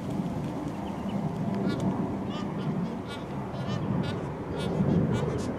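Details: Magpie geese in big mobs, feeding and flying around Darwin, grazing on grass, filmed with a Canon XF105. A dense, overlapping chorus of low, nasal honks rises and falls steadily throughout, with many birds calling at once.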